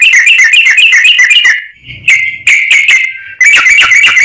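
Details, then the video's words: Lure song of a sooty-headed bulbul: a rapid, fast-paced run of bright chirpy notes, about four per second, breaking off briefly before resuming with a steady whistle and more quick notes. "trucuk gacor || trucuk pikatan"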